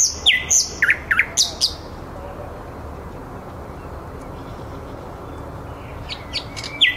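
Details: A thrush nightingale singing live in the city at Käpylä, Helsinki, around 21:30 gives a rapid burst of sharp, varied whistles and clicks, a long pause, then another short phrase, over a steady low city hum.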